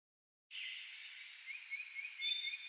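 Carolina Chickadee giving high, thin whistles: a sliding downward note, then clear pure tones over short, quick notes repeated lower down, after a brief silence.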